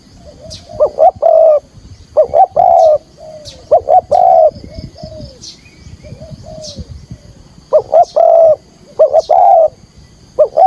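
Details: Decoy spotted dove calling thúc gù in field-voice style to lure wild doves for trapping; loud, overdriven three-part cooing phrases recur with quieter, softer coos in the gaps.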